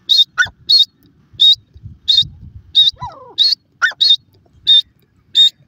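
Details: Grey francolin, known locally as dakhni teetar, calling with loud, clipped high notes repeated roughly every half second, mixed with lower descending whistled slurs and faint low rumbling beneath.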